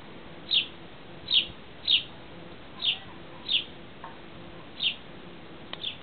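A sparrow gives seven short, bright chirps at a high pitch, spaced irregularly about a second apart, over a faint background hiss.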